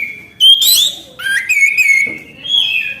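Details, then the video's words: Orange-headed thrush in full song, a clear whistled note rising into a bright burst, then a long warbled, wavering whistle that holds steady before lifting again. "Anis kembang gacor anti macet bunyi"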